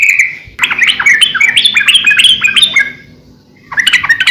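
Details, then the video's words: Yellow-vented bulbul singing gacor style for training birds: a brief note, then a long, rapid, tumbling series of liquid rising-and-falling warbles, a short pause, and another warbled burst. "suara trucukan gacor"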